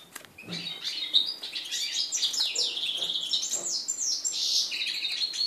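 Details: Red-breasted flycatcher and canary hybrid mule, hatched 2013, first song after moult, recorded 11 January 2014: sustained high twittering with rapid rising and falling notes, a buzzy trill, and steady whistled phrases to the end.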